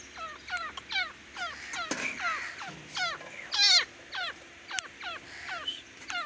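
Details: Grey francolin (desi teetar) giving a rapid run of repeated harsh, downward-hooked notes, several a second and partly overlapping, with a few sharp clicks and a faint hiss of background noise.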